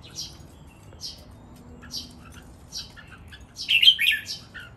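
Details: Red-whiskered bulbul kept caged, one of three birds singing against each other in an energetic counted-phrase training song; short high chips roughly once a second, then a loud tumbling warbled phrase near the end.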